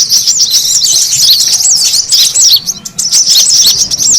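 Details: Noisy brown-throated sunbird lure track meant to gather birds: rapid, shrill, tangled chirping that fades briefly near the middle, then returns as a dense twittering chorus.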